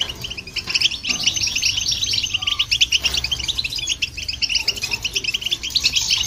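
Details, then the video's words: European goldfinch and a hybrid singing, intended to rouse other birds: a sustained, high twittering chatter of rapid tinkling notes that grows fuller toward the end. "Goldfinch And The Hybrid To Hear And irritate The Birds"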